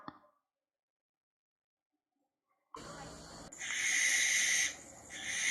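A barn owl gives a long, harsh, hissing screech that swells louder, dips briefly, then rises again after a short silent pause.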